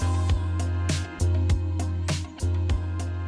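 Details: A funky groove of bass, guitar and drum hits, with no animal voices.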